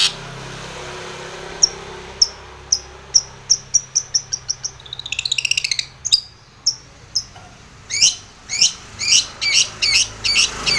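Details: Long-tailed shrike provoking a rival: spaced sharp ticking notes speed into a fast rattling trill, followed by louder harsh, buzzy chattering calls repeated about twice a second.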